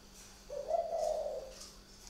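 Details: Spotted dove from a bird garden in Ba Vì, Hanoi, northern Vietnam, heard at night: a single soft, low, slightly quavering coo stretching about one second, with faint background hum.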